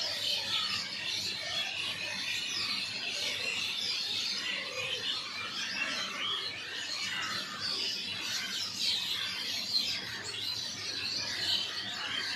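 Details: A busy outdoor chorus of birds, countless overlapping high chirps and tweets blending into a constant shimmer, with occasional lower warbling notes.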